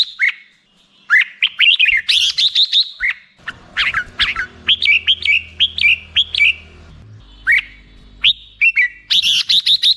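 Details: Black-crested bulbul song of quick, warbling chirp sequences rising and falling, repeated in clustered phrases, with a low steady hum running underneath through the middle section.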